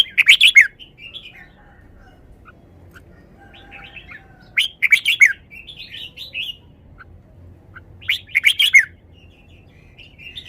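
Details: Red-whiskered bulbul in a cage delivering song phrases: three loud bursts of rapid, rich whistled notes about every four seconds, each followed by softer chattering warbles.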